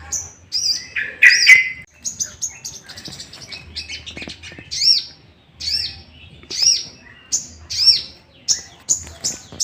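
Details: Lure song of a sooty-headed bulbul for provoking other bulbuls; an opening burst of lower, rich chattering notes gives way to quick runs of high, sharp repeated notes, speeding up toward the end.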